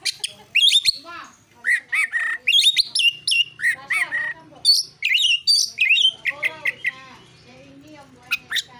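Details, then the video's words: Oriental magpie-robin singing a fighting song used to provoke rival birds into answering: a rapid, varied run of loud whistles, sharp chirps and harsh buzzy notes, many phrases rising or dropping, with brief pauses between bursts. "KICAUAN KACER NARUNG"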